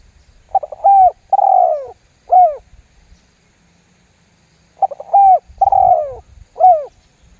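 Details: Lure call of a spotted dove, 'lambung guk' style, intended to make other doves call too: two identical phrases, each a brief stutter, two mellow cooing notes and a curt end coo, separated by nearly three seconds of silence.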